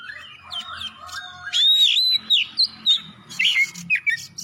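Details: Oriental magpie-robin singing strongly to draw other magpie-robins into song: soft twittering first, then a long clear slurred whistle and a string of short bright notes, with a low rumble behind.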